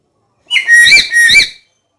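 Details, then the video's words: Black-capped lory uttering a ringing double whistle, each note sliding down and then curling upward, strong and clear in an otherwise quiet background. "Suara Kicau Burung Nuri Kepala Hitam Yang Merdu"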